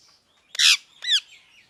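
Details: Parrot chirping: a harsh buzzy screech followed by a cleaner falling chirp about half a second later, with faint high twittering in the background.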